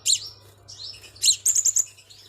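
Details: Crimson sunbird lure sound: sharp, very high chirps, then a thin sustained whistle and a quick run of four bright, clipped notes near the end, with a steady low hum underneath.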